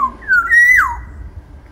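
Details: Large-bodied black-naped oriole from Sumbawa giving a short fluted whistle that dips, rises to a sustained clear note, then slurs sharply downward, with faint low background hum.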